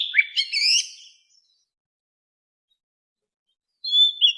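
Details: Softer white-rumped shama forest-voice song for training caged birds: one quick jumble of bright whistles and chips, a long quiet gap, then a short pair of pure whistled notes.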